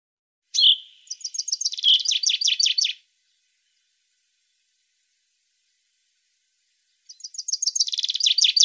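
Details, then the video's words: A European goldfinch sings fast, tinkling twitters of high liquid and buzzy notes in two-second phrases separated by long silences; the song is used to train and stimulate other birds. "غناء الحسون الظالم"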